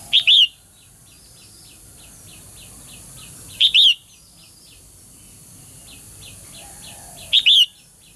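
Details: Female bird giving strong calls meant to get males singing vigorously. Bright doubled chirps recur three times at roughly three-and-a-half-second intervals, with faint, quick repeated ticking notes in between.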